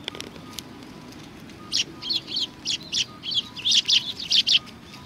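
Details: Sparrows coming for food at a Tenmangu shrine, recorded 25 November 2020; after a quiet start, a steady string of loud, high twittering chirps follows at a brisk pace.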